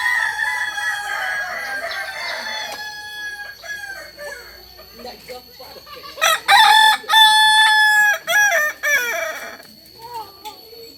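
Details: Native Kokok Balenggek chicken of Solok, West Sumatra, whose crow is stepped in tiers; a crow at the start, then a series of loud, separate stepped bursts in quick succession, with clucking between.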